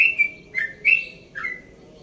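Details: Early-morning song of a one-and-a-half-year-old yellow-vented bulbul from Bekasi: relaxed, gurgling whistled notes in short bursts, each bending down, spaced by brief gaps.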